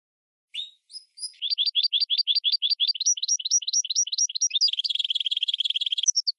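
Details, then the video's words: Hybrid of goldfinch and red canary singing as a teacher for training: three isolated whistled notes open a fast trill of rising, slurred notes. It ends in a richer buzzy passage and a few final high notes. "GOLDFINCH x RED CANARY (Hybrid Bird) The Best Teacher for Training"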